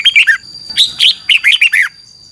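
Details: Thai caged Red-whiskered bulbul singing 'double' style training song, a fast chattering string of about ten bright, warbled notes in two quick runs, then quiet apart from a faint high hum.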